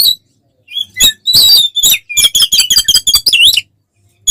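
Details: Oriental magpie-robin giving fighting-style ngeplong song meant to rouse other magpie-robins. After scattered chips comes a dense run of scratchy notes and bright whistles ending in a sweeping, looping phrase.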